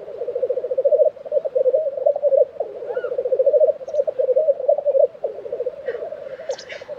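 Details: Lekking black grouse, Tiveden, Sweden, April 2023. Continuous rolling, gurgling low warble in pulsing bursts, with brief pauses near one and five seconds. A short hissing sneeze and a high chirp come near the end.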